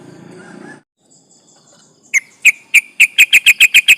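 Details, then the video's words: Yellow-vented bulbul, a lively singing bird used as a lure to provoke rivals: a quiet gap, then sharp bright notes repeated at quickening pace, each a short clipped chip, after low rumbling background noise. "trucukan gacor ropel panjang bikin emosi lawan"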